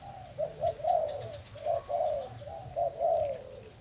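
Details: Spotted dove of a Thai line, recorded 08/08/18 as a decoy bird; soft, low, hooting coos in short phrases, several notes rising and falling, repeated across four seconds with faint background noise.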